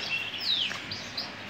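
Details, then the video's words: Male Gibber canary, hunched breed, giving a brief song fragment: a thin high whistle sliding steeply downward, followed by soft faint chirps. "تغريد كناري كيفر احدب"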